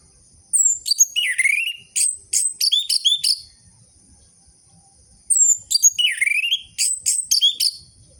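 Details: Orange-headed thrush in full song, used as lure audio to stir captive birds that have stopped singing. Two bursts of rapid, varied phrases mix high squeaky notes with a loud descending-then-rising whistle, separated by a few seconds of quiet.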